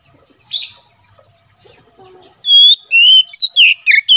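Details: Oriental magpie-robin singing in 'ngeplong' style, used for training and luring wild birds in the forest: a soft note, a pause, then a fast run of loud, clear whistled phrases shifting up and down in pitch.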